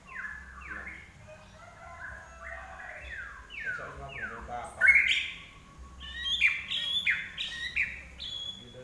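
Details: Vigorous common iora song: a series of clear falling whistles at a steady pace, then louder, brighter notes with quick up-and-down slurs near the end.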